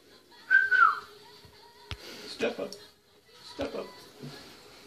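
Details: A pet cockatiel sings, giving a clear, loud whistle that wavers and slides downward, followed by voices.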